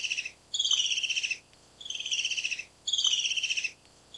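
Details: Black-capped kingfisher (Halcyon pileata) giving three loud, rapid, pulsed chattering bursts. Each bursts lasts just under a second and slides downward in pitch, with short silent gaps between them.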